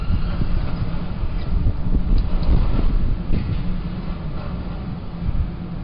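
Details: Steady low rumble of traffic and wind buffeting the microphone, with no animal voices heard.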